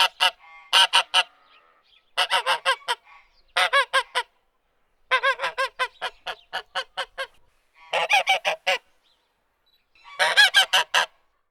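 A goose honks in quick bursts of nasal, ringing honks, three to eight at a time, with brief pauses between; nothing else is heard.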